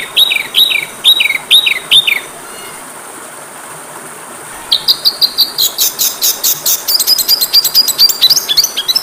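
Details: Training recording of an Oriental magpie-robin (kacer): four looping whistled phrases, a short pause, then a fast, dense chatter of high metallic notes and rising whistles that speeds up toward the end.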